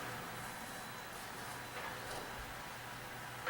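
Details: Quiet, even background hiss with a faint low hum and no clear animal sound.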